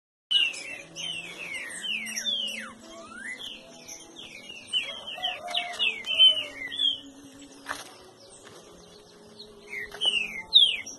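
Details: Captive green-winged saltator at a breeding aviary sings loud, clear whistled notes, many slurring downward, in quick busy phrases over a faint low hum.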